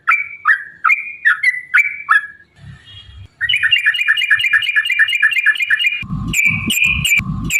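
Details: Yellow-vented bulbul song played as a lure to make other birds sing and fight: whistled phrases with falling slurs, a brief pause, then a fast rattling run of repeated notes and loud chirps over thumping low noise.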